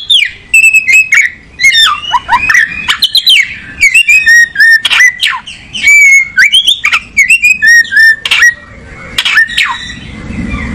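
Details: Oriental magpie-robin in a long, energetic song of about ten seconds: quick whistled notes, sharp down-slurs and chattering bursts repeated in rapid phrases with hardly a break.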